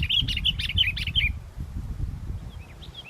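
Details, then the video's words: Sooty-headed bulbul singing steadily despite strong wind, recorded while luring birds: a quick run of bright, bubbly chirped notes for about a second, then faint notes further off, over constant low wind rumble. "pikat kutilang walaupun angin kencang tetap gacor"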